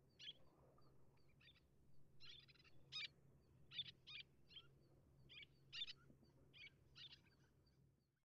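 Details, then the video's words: Little tern calling in a rapid, irregular series of harsh, scratchy high notes, some doubled or stuttered, at roughly one per second, with faint low rumble underneath. "コアジサシ 鳴き声SongCall / Little Tern"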